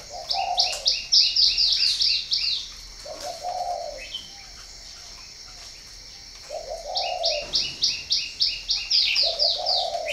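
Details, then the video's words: Spotted dove at a breeding farm in Ba Vì, northern Vietnam, giving low hoarse coos in short phrases, largely overlaid by another bird's loud rapid run of high chirping notes, with steady high insect hum behind. "chim cu gáy hay miền bắc"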